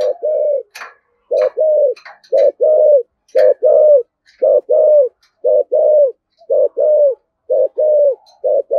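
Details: Spotted dove cooing in the thổ voice style, the cúc đinh calling coo: low, mellow hooting notes in short paired and tripled groups, about one phrase per second, steady through the recording, with a brief faint chirp early on.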